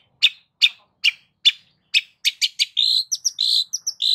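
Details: Long-tailed shrike in varied lure song opens with evenly spaced sharp chirps about every half second, then speeds into quick whistled notes and sustained buzzy tones.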